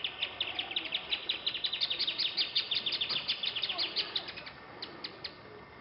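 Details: Wing-banded hornero (Furnarius figulus) giving a fast, loud run of sharp high chips, accelerating then slowing and fading over about five seconds, with faint background noise.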